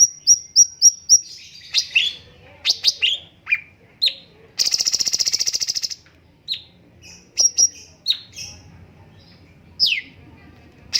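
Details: Cucak cungkok bulbul master song opening with five quick high whistled notes, then scattered sharp downslurred chirps. A loud rapid buzzy rattle lasts about a second midway.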